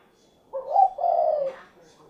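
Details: Single cooing phrase of a spotted dove, or derkuku: a quick low note sliding into a longer, soft, hollow coo that fades out, with faint background sound after.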